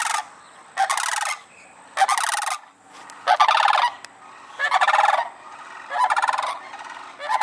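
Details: Sandhill cranes flying in, giving loud, rolling, rattled bugling calls in bursts roughly every second, several birds overlapping with heavy echo; a man speaks faintly.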